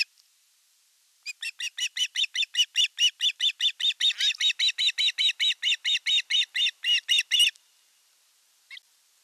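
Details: Fish delivery at an osprey nest in Satakunta, Western Finland, on 5 August 2024, while the older chick assaults the younger. One long unbroken series of high, evenly spaced chirping notes, about four per second, lasting six seconds.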